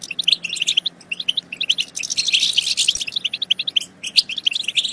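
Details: Goldfinch twittering meant to excite other goldfinches into singing and mating. Short, clipped chirps come in quick bursts, with a thick, busy stretch of overlapping trills halfway through before the notes thin out again.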